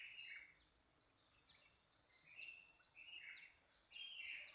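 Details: Several birds answer one another on a morning in Pananjung Barat, short chirps and downslurred whistles repeating every half second or so over a bright, constant insect hiss and faint background noise.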